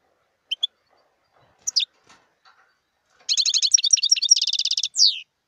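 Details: Scattered sharp, high notes from a wild European goldfinch lead into a rapid, tinkling twittering phrase of about a second and a half. The phrase closes with a loud downslurred note.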